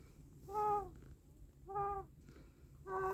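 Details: Chicken uttering three long, drawn-out nasal calls, each about half a second, spaced roughly a second apart against a quiet hum.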